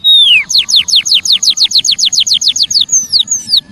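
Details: Used as a lure for wild birds, this Javan munia call begins with one long falling whistle, followed by a quick regular train of bright downslurred chirps and two falling slurs at the close.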